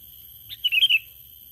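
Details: Sooty-headed bulbul lure call: a single short bubbly phrase of four quick chirping notes after a brief lead-in note, over a steady faint high electronic tone.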